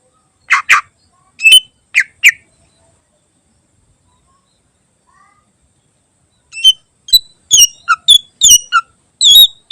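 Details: Greater green leafbird with a mimic-rich song, recorded as a tutor for other songbirds. A few loud chips come first, then a pause of several seconds, then a dense run of high chirps, clicks and short whistles.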